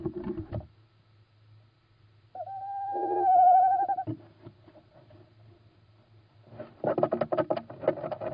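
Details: Little owl at night, 17 March 2016, 01:56: one quavering hooted note of about one and a half seconds in the middle, between bursts of loud rustling handling noise, over a low steady hum.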